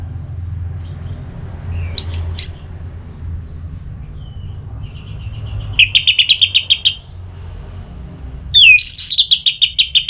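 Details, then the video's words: Orange-headed thrush ngeplong song, aimed at spurring a bird to sing: sharp high notes, a quiet pause, a long buzzy rattling trill, then a sweeping slurred whistle running into another rapid buzzy trill. "ANIS MERAH LOYO Bakal SONTAK NYAUT GACOR dan EMOSI dengar Kicauan Ngeplong ini"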